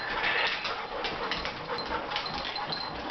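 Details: A female African grey parrot, displeased by a new dog in the house, gives a harsh, raspy growl, rough and unbroken for about three seconds, with faint household noise underneath.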